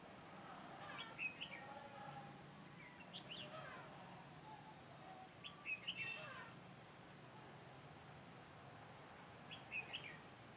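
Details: A red-whiskered bulbul acts as a decoy for trapping wild birds on 4 February 2018. It sings four short whistled phrases, each a burst of quick up-and-down notes, spaced two to four seconds apart over constant background noise.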